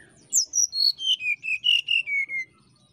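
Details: Brown-chested jungle flycatcher singing to provoke a rival: a run of about ten clear whistled notes descending step by step from very high to mid pitch, evenly spaced over two seconds, faint low background hum.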